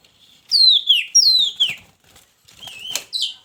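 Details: Captive Oriental magpie-robin housed in a hanging cage with a mate, giving loud, clear downward-sliding whistles, then softer notes, amid wing-flutter and cage rustling.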